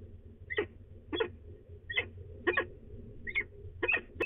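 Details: Female peregrine falcon at De Mortel, Netherlands, grumbling before she leaves, 24 March 2020 around 09:53; short harsh broadband chup notes, about seven spaced unevenly over four seconds, over a low steady hum.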